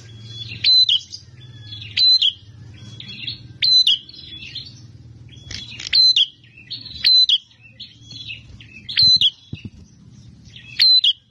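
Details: Aggressive, fighting Bar-winged prinia in energetic song: loud, harsh phrases of a high whistle plus buzzy rasps, repeated about every one and a half seconds, with softer chattering between and a low mechanical hum behind.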